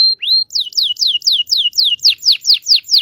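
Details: Local canary from Indonesia, song played to get silent canaries singing and teach youngsters: a rising whistle, then a steady string of clear, high, falling whistled notes about four per second.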